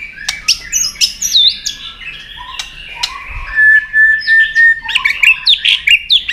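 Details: White-rumped shama singing its fighting song, tail snapping at a rival: varied loud whistles and slurred notes, a held steady tone, then a fast series of bright, jumpy phrases.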